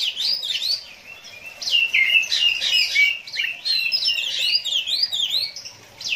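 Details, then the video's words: Oriental magpie-robin in the konslet style called 'ngeplay adu mekanik', pouring out a long, varied stream of fast, high chirps, swoops and twittering phrases. The song barely pauses, and nothing else is heard. "KACER KONSLET NGEPLAY ADU MEKANIK"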